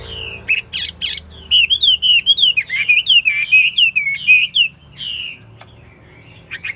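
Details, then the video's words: Chinese hwamei, caged and kept for song and fighting contests, sings a brisk series of sweet, bouncing whistled notes, several per second, opened by scratchy bursts and trailing off into quieter chips. "Hót tốt, Đấu tốt. Siêng mỏ, giọng hay"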